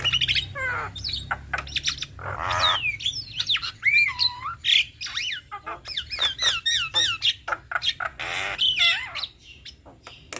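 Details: Duet by a male and female black-winged starling: loud squawks mixed with varied looping whistles, rising and falling slurs given in quick series, with harsh rasps between phrases.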